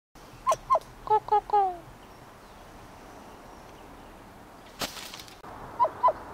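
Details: An injured kokako kept in captivity, said to say its own name, gives clear, mellow mid-pitched notes: a quick pair, a run of short falling notes ending in a longer slide, then another pair after a pause with a click.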